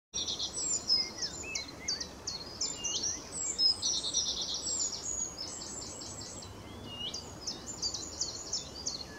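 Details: Blyth's reed warbler singing at Middleton Lakes nature reserve on 21 June 2021: a dense, continuous run of high, scratchy chirps and short repeated notes, with fainter lower chirps from other birds behind.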